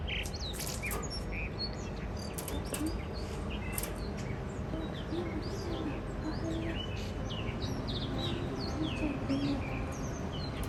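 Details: Spring song of a wild blue rock thrush, one of a mated pair visiting a balcony in Shonan, Japan: faint whistled and warbled notes in loose series over loud background noise.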